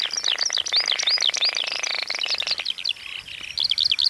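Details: Baillon's crake in summer breeding habitat in the Zuidlaardermeer region of the Netherlands, a rare species with several nesting pairs. A fast, dry rattle lasts about two and a half seconds beneath louder, squeaky, jumbled warbler-like song.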